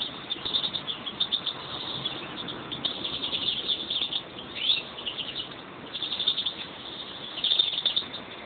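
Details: European greenfinch song from a pair of the owner's own birds: rapid buzzy trills and twittering phrases that run almost continuously, with louder bursts near the middle and the end, over steady background hiss.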